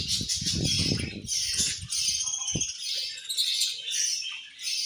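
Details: Budgerigars eating and chirping angrily, high raspy chatter over loud low crunching and clattering during the first half, then chatter alone with a few short mid-pitched notes.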